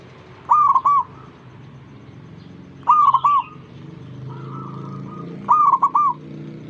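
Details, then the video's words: A zebra dove sings to get other doves to sing along. Three loud phrases of mellow cooing, each a short run of pulsed, bubbling notes, come at uneven gaps. A quieter, drawn-out coo from another dove sits between them. "ngajak perkutut lain ikutan bunyi"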